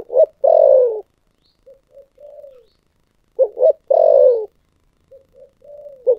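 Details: Spotted dove cooing in the thổ sấm voice style: two low phrases, each two quick short coos then a long, drawn-out coo that slides downward, followed by softer short notes, in a quiet setting.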